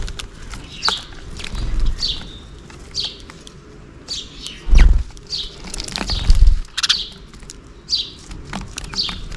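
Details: Sparrows feeding in the morning at a hanging feeder made from a plastic bottle and filled with millet: scattered short high chirps at irregular intervals, with several loud bursts of flapping wings.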